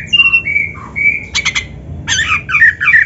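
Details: Magpie-robin (kacer) song in a master recording for training a bird: clear level whistles, a few sharp clicking notes, then rapid rolling warbles repeated in short groups.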